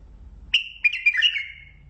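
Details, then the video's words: Mandali bulbul singing: a short phrase of bright, warbling whistled notes that rise and fall, over quiet low background rumble. "بلبل مندلاوي لسنات تغريد"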